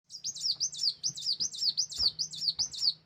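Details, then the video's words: Sunbird, a local type called wulung, calling as a lure to draw other birds: thin, very high chirps sliding downward, repeated rapidly about two or three times a second in an even, tumbling series, with faint low hum beneath. "suara pikat kolibri Wulung ampuh di jamin lengket"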